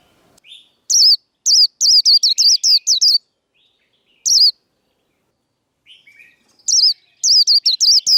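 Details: Fighting song of a Japanese white-eye, used to stir up cage birds: rapid strings of shrill, wavering whistled notes in bursts of several, a lone note midway, then another fast run after silence.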